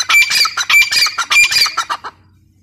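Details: Female grey francolin giving a short burst of four loud, grating, squawky notes about half a second apart, each with a faint whistled tone, then fading to near silence with a low background hum.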